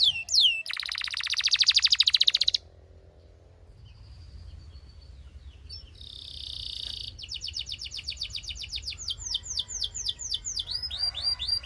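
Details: Belgian canary singing and warming up quickly: a fast, buzzy rolled trill lasting over a second, a short near-silent pause, then a second pulsing trill leading into rapid repeated sweeping notes in bright, high-pitched phrases.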